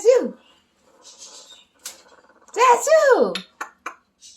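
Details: Parrot growling in imitation of a dog: a short falling harmonic cry opens, then a soft murmur, and after a gap two loud arched, strongly harmonic calls sweep up and down, followed by a few sharp clicks in a small room.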